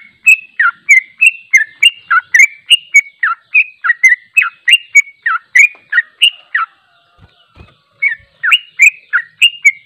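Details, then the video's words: Sooty-headed bulbul pouring out its long 'ropel' trilling song for training, unedited: quick runs of whistled, slurred notes at about three per second, a short pause with faint low knocks near seven seconds, then the run resumes. "Suara Trucuk Ropel Panjang istimewa tanpa editan, melatih mental trucuk"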